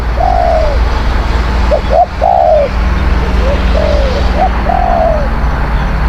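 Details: Decoy recording of a spotted dove cooing to attract wild doves: drawn-out, falling coos mixed with quick short notes in uneven groups, with a low constant hum underneath.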